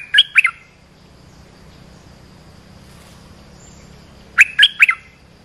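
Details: Olive-winged bulbul call meant to lure wild birds and train young ones: two short, crisp three-note phrases, liquid and slightly descending, spaced about four seconds apart against a quiet background.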